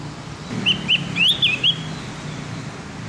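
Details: Javan grey-throated white-eye song used in the morning to train captive birds to sing: five clear high whistled notes, some rising and some dipping, spaced about a fifth of a second apart, with low traffic-like rumble underneath.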